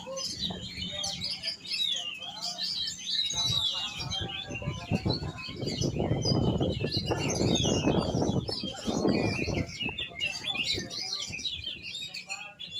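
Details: Varied chirping and whistled song of an oriental magpie-robin running throughout, partly masked midway by a loud low rustling or handling noise.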